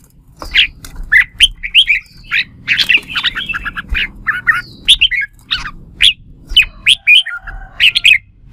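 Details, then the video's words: Red-whiskered bulbul in competitive fighting song, pouring out quick, bright, chirpy phrases of squeaky and liquid notes. The song is nearly continuous with short pauses, a lively burst used to stimulate other bulbuls to sing. "Tiếng Chào Mào Hót Đấu"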